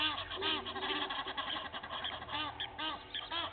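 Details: Egyptian geese, two families clashing at Gowrie dam in South Africa's Sabi Sand, April morning; dense, fast arched honks, several birds calling over one another, a low electrical hum throughout.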